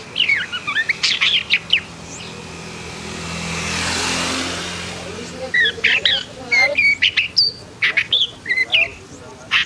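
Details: Long-tailed shrike described as agitated (emosi) sings bursts of sharp varied chirps and whistled slurs at the start and end, while a passing vehicle roars loudly through the middle.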